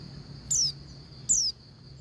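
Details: Female Oriental white-eye calling to males: two thin, high whistled notes sliding steeply downward, about three-quarters of a second apart, over a steady high insect-like hum and low background rumble.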